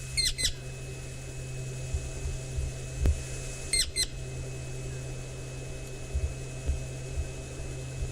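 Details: Woodland Kingfisher in the Maasai Mara gives two brief bursts of sharp, high trilling notes about three and a half seconds apart over a steady low hum, presumably calling for its mate; another male possibly answers.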